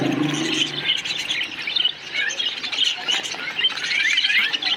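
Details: Parakeets in a colony chirping together, a busy wash of high twittering notes and short squeaky calls overlapping without break, with a brief low tone at the very start.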